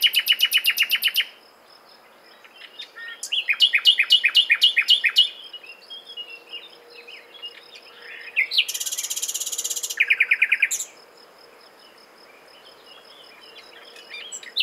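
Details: Common nightingale song in several separate phrases: a fast machine-gun trill, a long run of loud, sharply repeated notes, softer varied twitters, then a dense buzzy burst and another quick rattle before quiet.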